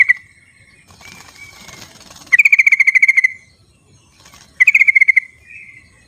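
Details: Sooty-headed bulbul in the wild, recorded as a calling sound to prompt silent bulbuls: two bursts of fast, evenly spaced bright notes, each about a second long, separated by soft whistles and quiet background.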